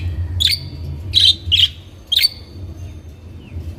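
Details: Budgerigars kept in captivity sounding a quick series of four high, slightly buzzy chirps within two seconds, then quiet, with low hum beneath.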